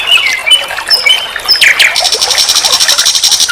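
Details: A nightingale, locally sikatan londo, sings on a recording meant as a vocal teacher for songbirds: short varied whistles and slurs, then a fast, even, buzzy trill of high repeated notes running to the end.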